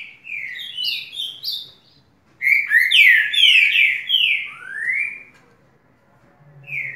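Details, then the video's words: Southern house wren singing persistently: loud whistled notes sliding downward, a short pause, then a rapid bubbly burst of slurred descending phrases, ending with another falling note; faint low hum underneath. "Currucutil cantando muito"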